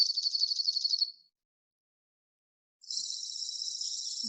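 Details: Two male Dark-eyed Juncos counter-singing in spring on Protection Island: high, dry, even trills on a steady pitch, one lasting about a second, a pause, then the second bird's slightly lower trill.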